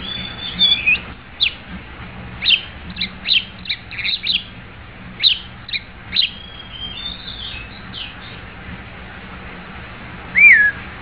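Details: White-rumped shama singing: a series of short sharp whistled and chipping notes scattered over several seconds, with a clear curling whistle near the end, over a low steady background hum.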